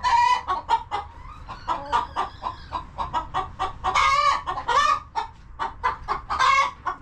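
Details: Many chickens clucking inside a coop on a farm give a steady chatter of short clucks mixed with frequent loud, nasal squawks.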